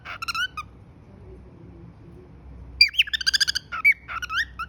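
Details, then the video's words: Pet cockatiel whistling: bright, bending notes in a short phrase, a pause, then a quick run of chirpy rising and falling whistles. "cute Whistle"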